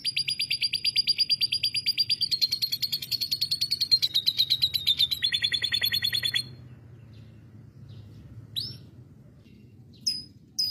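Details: Canary delivering lovebird imitation: a fast, even buzzy trill of high notes held for over six seconds, slowly dropping in pitch, then silence broken by a few sharp chips.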